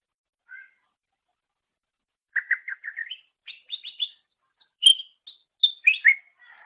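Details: Master recording for songbird training with greater green leafbird song: a faint opening note, then a series of evenly repeated chirps rising in pitch, followed by loud sharp whistles and slurred notes.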